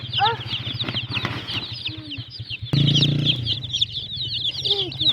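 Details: Colourful chicks chirp in a thin, high, unbroken chorus over a low humming drone, with a few lower rising calls and a loud rumbling noise partway through.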